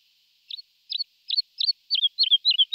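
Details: Lark giving a short series of forked, high chirped notes, eight in under three seconds, getting louder and closer together, with nothing else audible.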